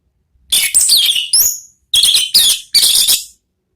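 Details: Orange-headed thrush giving ngeplong song for luring: loud, rich, rapid high-pitched warbling in four tight bursts, with twittering and whistled slurs, with short silences between.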